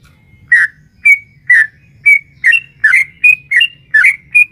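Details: Female sooty-headed bulbul calling a male, a lure in 'ropel panjang' style to make caged birds respond: after a short silence, ten crisp chirped notes follow one another roughly every half second, some rising, some dropping.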